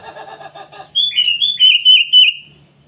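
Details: Morning song of a sooty-headed bulbul calling out to rivals: a soft low buzzy trill gives way to a bright, bubbling run of five or six liquid whistled notes that rise and dip.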